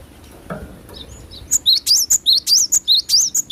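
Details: Natural song of a cinereous tit (glatik batu): after a soft knock and faint high notes, a steady run of loud, high, piping two-part phrases, rising whistles with sharp upper accents, repeated quickly.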